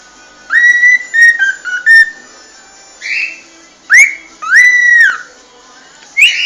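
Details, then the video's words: Whistled cockatiel song. Rising, swooping notes are held briefly and broken by scratchy, breathy bursts. Phrases come in irregular groups with short pauses between them, and the recording is otherwise quiet. "صوت راءيع للطيور الكوكتيل"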